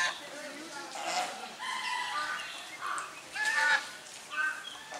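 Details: Domestic swan geese drying their bodies alongside grey domestic geese, filmed on a Sony camera; several short nasal honks with stacked harmonics come in uneven bursts, some higher and squeakier, over a soft outdoor background.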